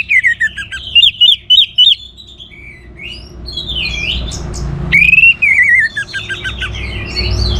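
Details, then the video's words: Energetic orange-headed thrush song for stimulating other birds to sing: a series of loud, looping whistled notes, several short repeated chirps, then a long wavering warble, with softer high notes between. "The Best ANIS MERAH Gacor Untuk Memancing Burung Jadi NGeplong Bahkan Teler"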